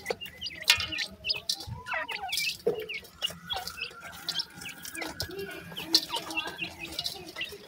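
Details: Black francolin (kala teetar) chicks, both male and female, give a busy, overlapping stream of thin high peeps and short clucking chirps at an irregular pace, over a faint rough background.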